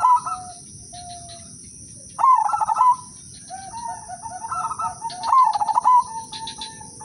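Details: Zebra dove of the Udanmas Silver line kept as a lure singer to prompt other doves to sing. Two bold stuttered coos ending in wavering trills, with quieter fluttering coos between them, over a continuous shrill background tone.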